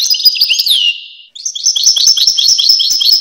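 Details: European goldfinch song opens with twittering and a drawn-out downward-sweeping whistle, falls briefly quiet, then resumes as a quick, lively run of high chirping notes.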